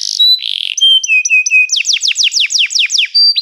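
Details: Canary singing: buzzy notes, then steady whistled tones, then a run of fast down-slurred sweeps repeated about four times a second, ending in a short high whistle.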